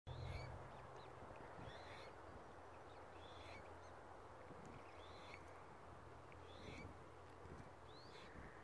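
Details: Australasian swamphen chicks at Tamar Island Wetlands give short, high peeping calls, repeated about once a second, over a steady low rumble of background noise.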